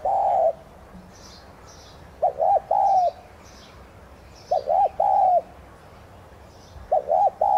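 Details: Spotted dove, subspecies tigrina, giving its thúc gù coo as a decoy to spur other doves to sing: three low hollow phrases, each two short notes then a long drawn note, roughly every two and a half seconds, with faint high chirps behind.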